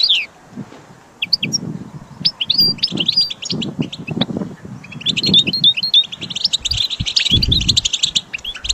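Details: Goldfinch kept for song training gives scattered high chirps that build into a rapid twittering run, over frequent low thumps and knocks.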